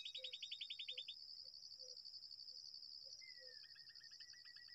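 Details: Babbler at a date palm nest gives a quick rattling chatter, then a drawn-out falling call followed by faint repeated notes. Soft low clucks and a steady high insect buzz run underneath.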